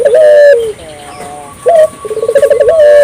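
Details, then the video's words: Actively calling African collared dove, played to stimulate local doves to call: a sustained low coo sliding downward, a pause, then a brief rising note leading into a quick rolling trill and a held tone. "suara burung puter gacor,merangsang burung puter lokal ikut gacor"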